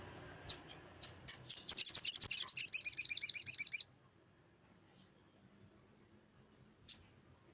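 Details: Sogon singing hard to call out a rival and draw other sogon into song, ngleper style: a lone high chip, then a quick run of high, rapidly pulsed trill notes lasting nearly three seconds, silence, one final chip.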